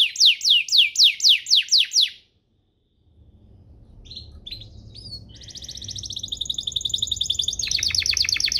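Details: Canary master song for training young birds: rhythmic descending whistled sweeps about three per second, a silent gap, then soft chips building into a fast bright trill and rattle.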